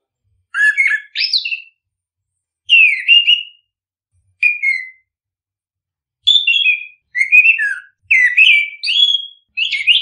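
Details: Orange-headed thrush song used to stimulate other birds to sing: bursts of rich, varied whistled phrases mixed with sliding notes, delivered in short strophes separated by brief pauses, against a silent background.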